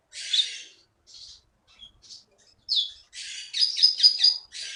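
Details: Prize-winning bird taken from the Bangka forest gives harsh, buzzy, scratchy bursts and a few short whistles, ending in a rapid pulsing buzzy trill.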